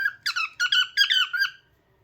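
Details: Pet cockatiel kept indoors giving a quick series of about six bright, warbling chirps with slurred up-and-down notes, then silence in a small room.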